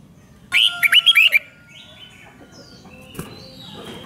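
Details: One brisk phrase of rik-style Red-whiskered bulbul song, played to rouse caged birds: five or six rapid, looping, chirpy notes in under a second, then faint thin whistles and hiss.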